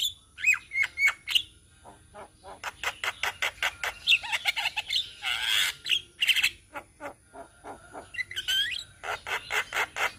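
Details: Flock of untrained Javan mynas from Indonesia: a few sliding whistles open, then a long run of rapid dry clicks and chattering notes, a loud noisy squawk burst in the middle, and fast chatter returning with whistled calls near the end.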